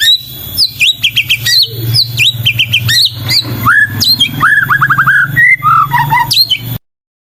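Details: Persistently singing white-rumped shama (murai batu) giving a rich, varied song: rapid high chips and whistles, then a quick run of falling slurred notes and lower warbled phrases, with a low hum beneath.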